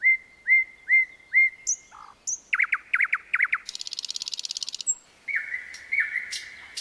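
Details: At night, a common nightingale sings four evenly spaced, upswept whistles, then varied throaty phrases, a fast buzzing rattle and more repeated whistled notes.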